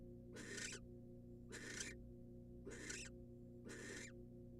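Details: Nest-box female barn owl, wild, being handed a rat by the male, uttering four rough hissing screeches, each nearly half a second, evenly spaced just over a second apart, above a persistent low hum.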